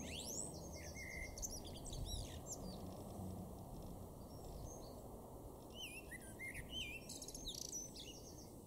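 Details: Common blackbird, a male in a garden at Weener, East Frisia, Germany, April 2024, gives short fluty phrases each ending in high squeaky notes, separated by pauses, with other small birds twittering and constant low rumble.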